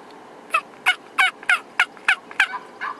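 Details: Wild turkey calling near Wetzel Lake in northern Michigan: a series of eight short, raspy, two-toned yelps, evenly spaced about every third of a second, clear over a faint outdoor hiss.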